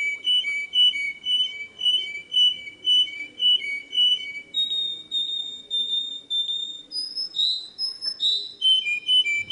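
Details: A canary sings a long run of evenly spaced whistled double notes, roughly two per second, then shifts to higher sliding and falling phrases for the final seconds; no other sounds.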